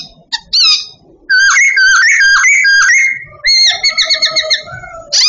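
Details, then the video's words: Babbler, apparently a trained bird, singing loud, rich whistled phrases with warbling, wavering notes and quick slurred runs, pausing briefly between bursts; slight room echo. "Babbler singing everyday"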